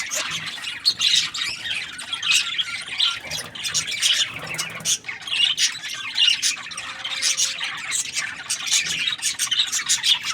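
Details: Budgerigars chirping: a dense, busy stream of high squeaky chirps and rasping notes, rising and falling in loudness, with brief louder squawks scattered through.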